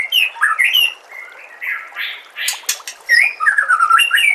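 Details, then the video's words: Master recording of white-rumped shama song for tutoring captive birds: rich, changeable phrases of slurred whistles, harsh chattering notes and sharp clicks, delivered in rapid bursts with short gaps. "KOMBINASI MASTERAN MURAI BATU PALING LENGKAP DAN PALING JERNIH AUDIONYA"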